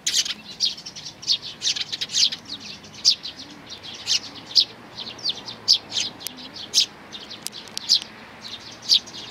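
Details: Parent sparrows with their chicks on 11 May 2019, giving dense bright chirping, many short notes overlapping from several birds, with faint low hum beneath.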